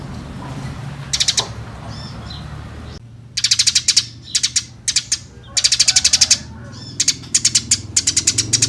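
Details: Eurasian tree sparrow chirping busily, used as a training recording for other songbirds; after a quieter opening, short bursts of sharp, dry, rapidly repeated chirps come in quick clusters, several notes each, over a low steady background hum.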